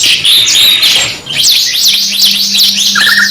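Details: Canary singing in a two-in-one training mix: dense, high, tinkling warble that breaks into fast zigzag chirps, ending in a short lower rattle, with a faint steady hum underneath.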